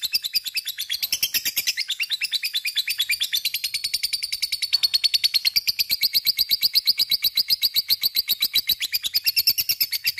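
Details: Sustained ngekek of a lovebird, played so other lovebirds join in: continuous fast, piercing chirps in a rattling series, with pitch wavering slightly throughout.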